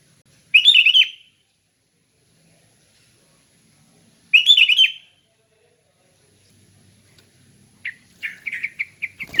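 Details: Sooty-headed bulbul in relaxed ngeplong song, used for training bulbuls: two bubbly whistled phrases about four seconds apart, then a run of short, sharp chirps near the end.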